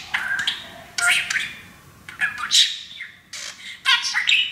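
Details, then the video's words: Pet male parakeet, happy on a new playground, practising taught English phrases such as "baby bird"; rapid bursts of scratchy, squawky chatter in short phrases separated by brief pauses, indoors. "Auzzie the TALKING Parakeet!!!"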